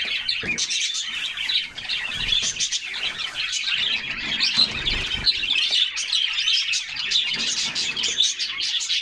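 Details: Group of canaries splashing in a cool bath in summer while singing; continuous high-pitched warbling and chirping from many birds, with bursts of lower splashing noise now and then.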